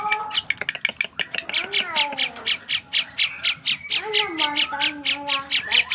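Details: A tame Asian pied starling sings a rapid rhythmic series of harsh scratchy notes about two per second, overlaid with falling, nasal, whistled slurs that descend in steps.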